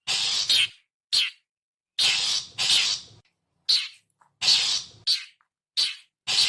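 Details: Typical long-tailed shrike call for luring birds: grating, buzzy screeches in uneven bursts, some paired closely, with quiet pauses between.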